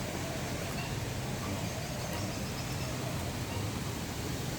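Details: Steady roar of road traffic and low murmuring voices fills the air, with no animal calls standing out.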